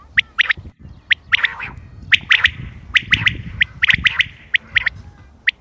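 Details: Common quail calls from 28 May 2025 meant for quail hunting: crisp short notes, single or in quick pairs and triplets, spaced unevenly about once a second over a low rumbling background.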